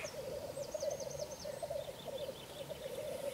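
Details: Black grouse watched from a hide in the evening, around 9 pm, at its display ground: a continuous low bubbling, cooing warble runs without a break, with a faint high twittering series of other bird notes above it.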